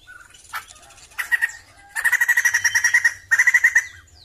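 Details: A Sumatran laughingthrush delivers scattered sharp notes, then a loud fast rattle of evenly spaced notes and another shorter rapid burst.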